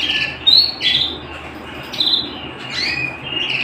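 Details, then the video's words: Canary song indoors: separate bright whistled notes and quick upward sweeps, alternating with short trilled phrases and brief gaps of quiet hiss. "canary bird - canary singing - canary sounds - canary singing at home - beautiful canary birds"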